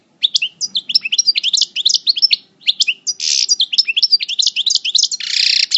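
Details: European goldfinch, parva subspecies, singing in coupleur style while in moult, El Bordj: a fast, continuous run of liquid twitters and bouncing high notes with brief buzzy rasps mixed in.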